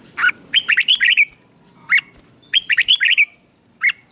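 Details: Red-whiskered bulbul morning song for training wild-caught birds: two bursts of bright slurred whistles, each a fast run of five or six notes, with single notes between and a faint steady high tone behind.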